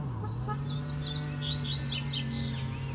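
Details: A double-collared seedeater from the wild, calling for a fight, gives a lively string of high twisting whistles and sharp descending chips, building toward the middle, against a constant low electrical-sounding hum.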